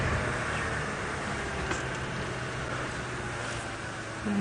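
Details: A steady hiss of vehicle and road noise, with a faint low hum throughout.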